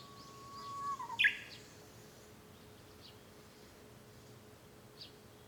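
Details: Japanese bush warbler singing, heard from a room at home on 5 May 2013: a steady low whistle held for about a second, then a sharp, loud rising flourish, with faint distant bird notes afterward and a steady background hum.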